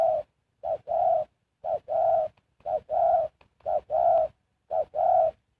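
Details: Spotted dove serving as a lure decoy for wild birds, delivering a regular series of two-part coos, short then long, low and soft, spaced about a second apart.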